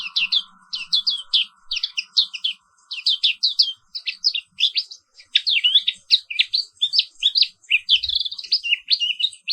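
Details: A black-capped white-eye (Zosterops atricapilla) actively singing in the morning pours out a fast, high twittering song of bright chirps and slurred notes in quick bursts, with a faint steady hum under the opening seconds.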